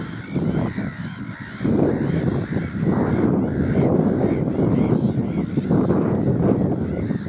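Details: Black-headed gulls at Burwell Fen, Cambridgeshire, UK, on 15 April 2015, a noisy flock: harsh, overlapping calls with ringing harmonics repeat throughout, over heavy low wind rumble.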